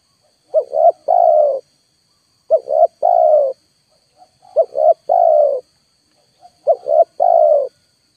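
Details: Lure recording of a spotted dove. Four clean repeated phrases, each two quick hooked notes followed by a longer, slightly descending hoarse coo, spaced about two seconds apart in otherwise quiet surroundings.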